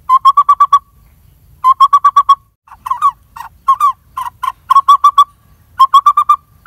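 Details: Lineated barbet family at a tree-cavity nest in a dead durian tree, parents feeding young; rapid runs of five or six mellow hoots alternating with slower, rougher, uneven notes.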